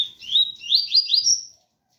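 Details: A double-collared seedeater sings the ganga 001 phrase between pure tui tui, with a rain sound behind: a continuous, loud chain of four or five sweeping whistles that rise step by step, then stop abruptly.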